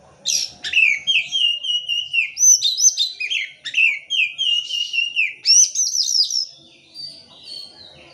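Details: Lure song of an oriental magpie-robin meant to stimulate silent birds: nearly continuous sustained whistled notes broken by sharp chips and fast upward sweeps, fading at the end.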